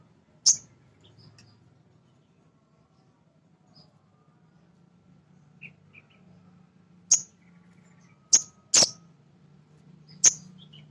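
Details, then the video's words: Male sogon, a small nectar-eating bird, calling to stir other sogon into singing: sharp, very high chips given singly at first, then in a quick cluster of three and one more, over faint low hum. "Suara Sogon jantan asli"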